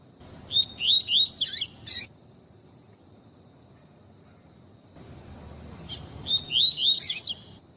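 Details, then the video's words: Female double-collared seedeater calling to warm up males into singing: two bursts of high, quick up-and-down twittering chirps, each about a second and a half, separated by about four seconds of quiet. "Fêmea de Papa capim Chamando Com papacapim tui tui pra Esquentar papacapim frio"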